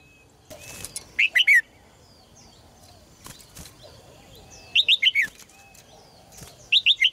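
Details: Song from a caged red-whiskered bulbul, played to encourage strong singing in males: three bouncy phrases of three to five high whistled notes, with soft rustling noise between them.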